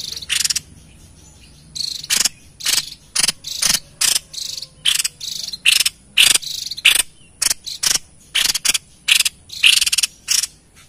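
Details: White-chested babbler, recorded as a lure for wild birds, gives a long run of short, harsh, rattling bursts repeated steadily, about two per second, with a faint high steady tone behind.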